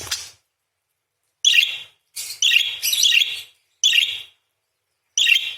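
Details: A singing parakeet gives raspy, clustered chirps in short bursts separated by brief silences, one longer scratchy run in the middle, all high-pitched and dry.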